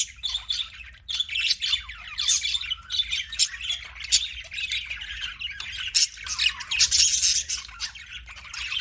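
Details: Budgie giving a steady stream of quick, squeaky chirps and buzzy rasps, high and chattering, packed tightly with a few momentary gaps and a soft low hum behind.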